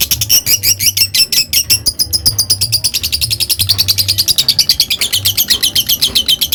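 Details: Lovebird delivering a long ngekek: continuous, rapid high-pitched chattering trills packed tightly for the whole stretch, shrill and insistent, over a faint low hum.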